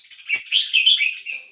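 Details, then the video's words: Red-whiskered bulbul kept as a cage bird, singing in the poi-sian (โป้ยเซียน) style: a quick run of bright, bubbly chirped notes, rising and falling in a short warbled phrase. "นกกรงหัวจุก (โป้ยเซียน นกหัวหิน 1)"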